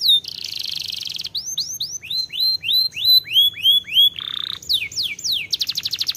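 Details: Canary song: a fast buzzy trill, then a series of clear downslurred whistles repeated about three per second, a harsh low rattle, sharp sweeping notes and a closing rapid high trill.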